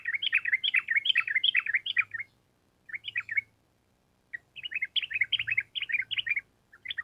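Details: Sooty-headed bulbul in long ropel panjang song, a vigorous rapid run: extended tumbling phrases of fast bubbly, chattering notes with short pauses between, over a faint low hum.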